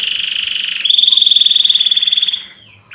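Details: Canary song played for tutoring other birds: a buzzy rolled trill, then a brighter, steady, rapidly pulsed trill held for about a second and a half before fading.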